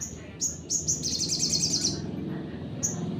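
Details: Sunbird singing a 'nembak' provoking song meant to agitate other birds: sharp high chirps and a rapid buzzy trill near the middle, then a final chirp, over a low background rumble.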